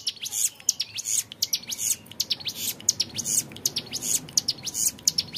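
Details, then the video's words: Clear, long 'ngebren' song of a young hill prinia, steady runs of thin, very high ticking chirps repeated quickly without a break. "MASTERAN CIBLEK GUNUNG MUDA GACOR NGEBREN PANJANG SUARA JERNIH"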